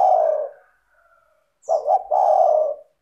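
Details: Spotted dove (tekukur) lure song, clear and melodious: the tail of one long coo, a brief gap, then two short hoots and another long falling coo.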